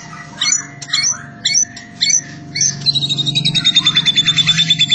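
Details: Caged White-rumped shama, a champion competition bird with a loud voice: separated sharp whistled phrases, then a fast, even trill of repeated notes, with a steady low hum behind.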